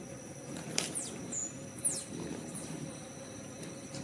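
Blue-throated hummingbird giving a few very high, thin, falling squeaks spaced irregularly over four seconds, over a steady faint hum.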